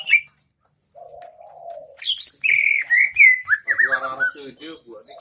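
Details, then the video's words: Greater green leafbird in Central Aceh singing isian MB: a low wavering warble, then loud clear whistles sliding down into a quick string of descending chips, over faint rustling. "cucak ijo isian MB"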